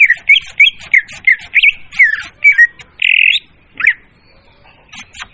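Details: Loud leafbird lure song: a chain of rapid, varied slurred chirps, then one buzzy, drawn-out note and a single sharp downslurred call before it falls quiet.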